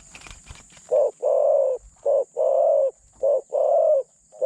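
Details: Captive spotted dove used as a decoy to lure wild doves, medium-pitched in voice and light in cooing style; soft clicks, then three loud paired coos, a short hoot and a longer drawn-out note, in quick succession.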